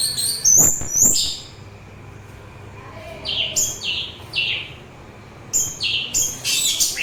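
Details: Song of the orange-headed thrush, used to ease weariness and to call in thrushes and other birds: sharp high whistled notes, then a run of four or five falling slurred phrases, a gap, and more descending warbles.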